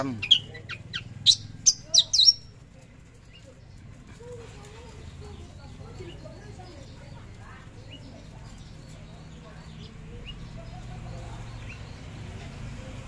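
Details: A Javan bush lark (Horsfield's bush lark), recorded 13 December 2022 at 10 a.m., fires off a quick burst of sharp, high, piercing chirps for about two seconds, then falls quiet over a low background hum.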